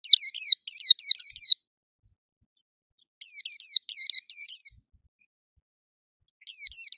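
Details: White-eye in a hand-held cage delivering loud, bright phrases of rapid high slurred notes in three separate bursts with quiet pauses between.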